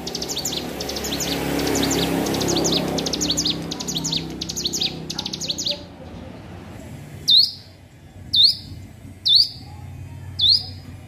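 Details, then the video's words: Hill prinia learning to sing: at first a busy jumble of rapid high chirps over a low murmur, then four separate sharp upslurred notes spaced roughly a second apart against near silence. "ciblek gunung belajar bunyi"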